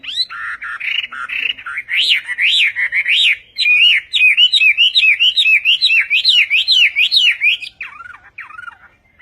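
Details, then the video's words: Chinese hwamei singing Vietnamese-style: rolling warbles give way to a long, even series of rapid peaked whistles, then a few softer falling notes. "HỌA MI TÂY - TIẾNG HÓT VIỆT"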